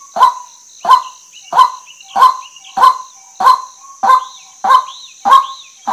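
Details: Rasping, goose-like calls of a female white-breasted waterhen, ten evenly spaced notes, backed by a continuous high whine and small sliding chirps from other birds late in the sequence.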